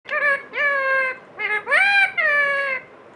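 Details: Pet parrot talking: five drawn-out, voice-like phrases with rich harmonics, some level, others rising then falling, separated by short pauses in a quiet room.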